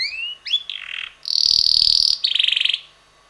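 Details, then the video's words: Red canary, a young male about six months old that sings most of the day, giving rising slurred notes, a mid-pitched rattle, then a long loud buzzy trill and a rapid pulsed tour fading out. "red canary bird singing - roter singender Kanarienvogel"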